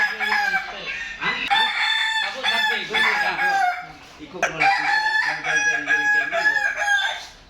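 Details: Several Kokok Balenggek cocks crow at once during a contest in Padang, 8 October 2023, their drawn-out, stepped crows layering into a loud, wavering chorus with brief dips between rounds.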